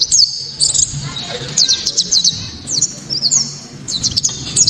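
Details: Sharp, piercing 'tembakan' song of a Japanese white-eye, meant to spur other white-eyes into singing: very high, fast bursts of tinkling slurred notes with brief gaps between phrases, faint low background rumble.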